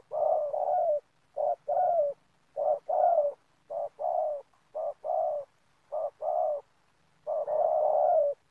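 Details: Rapid, insistent cooing from a spotted dove used as a trapping lure on plantation land: pairs of short low hoots repeat roughly every second, with a long, smeared coo at the start and another at the end.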